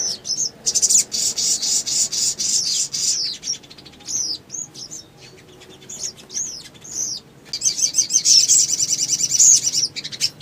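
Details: Ruby-cheeked sunbird in energetic song meant to trigger rivals: long fast runs of high buzzy chirps broken by sweeping squeaky whistles, then another rapid trilling burst near the end.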